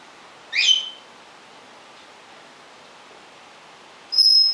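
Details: Rescued pet African grey parrot (Psittacus erithacus), sex uncertain, left alone in its cage gives two separate whistles: a short, warbling, slurred note, then after a long pause a clear, steady high-pitched tone.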